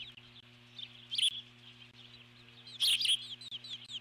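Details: Eagle keeping up its alert call at the nest as an intruding bird passes. Soft, thin squeals are broken by two louder shrill bursts, with a low hum throughout.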